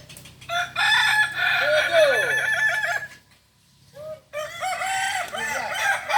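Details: Kokok Balenggek rooster crowing at a practice contest in Ampang Kualo, Solok city: a long, ringing, multi-note crow breaking into stepped, wavering syllables, a short silence, then a second run of rising and falling notes.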